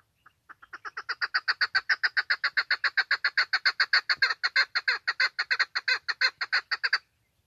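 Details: A female chukar gives a long, rapid series of harsh clucking notes, three or four per second, building and holding steady for several seconds; the call is used for chukar hunting.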